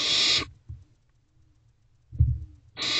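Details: Barn owl owlets in a nest box at 9:12 pm, 21 May 2023, one feeding on a rodent; two harsh hissing screeches bracket a quiet pause with soft scuffling and a thud from the box.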